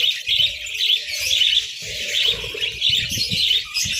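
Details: Budgies eating eggs and bread on a winter morning produce a constant bright, buzzy chirping chorus, with light pecking and clicking sounds mixed in.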